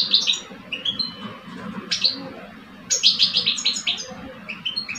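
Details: Singing contest between two caged Algerian male European goldfinches, one old and one aged two years: short liquid chirps and tinkling notes, then a quick run of bright repeated twitters near the end.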